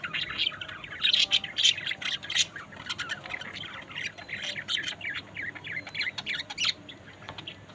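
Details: Budgerigars squawking and chattering densely together, a loud harsh burst early on giving way to a rapid, continuous stream of high warbled notes.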